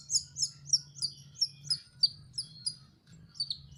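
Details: Juvenile canary practising its song, giving a steady run of high, sweet chirps repeated about four times a second, each note slurring downward, fading briefly before a few final chirps, with a faint low hum underneath.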